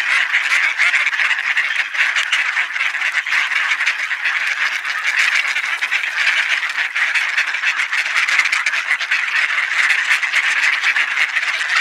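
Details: Many ducks crowd together for supper in Sainte-Adèle, Quebec, Canada, on a mild, partly cloudy November afternoon in 2020; a continuous wall of mixed quacking and honk-like calls stays loud from start to finish.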